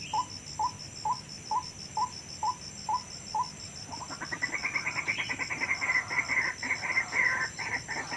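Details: White-breasted waterhen lure recording taken from the wild, used to attract waterhens into nets or traps: evenly spaced mid-pitched notes about twice a second, then a denser, higher run of chattering calls with a steady faint high whine behind.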